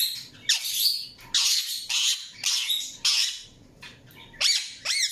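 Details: Harsh, loud squawking bursts from an Indian ringneck parakeet, roughly one every half second, ending in a pair of sharp rising-and-falling whistled notes.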